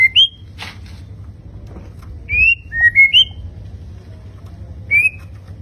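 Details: Sparse song from a fighter-type murai batu (white-rumped shama): a few separate rising whistles and short slurred notes spaced by pauses, against quiet low-frequency noise.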